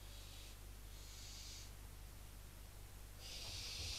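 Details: Inside a barn owl nest box at Cabañeros National Park, chicks show rejection of a visiting female owl that lands on the box while the adults are absent. Three rasping, breathy hisses, the last loudest, with constant low electrical hum.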